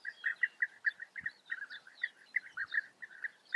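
European bee-eaters give a quick run of liquid, rolling calls, several each second, with fainter higher chirps overlapping, as though more than one bird is calling.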